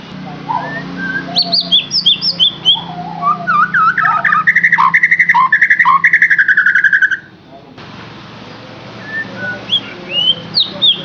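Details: White-rumped shama song used as a lure to get a captive bird singing: varied high whistled notes and slurs, then a fast run of repeated sweet chirps for several seconds, a brief pause, and more scattered whistles over low hum.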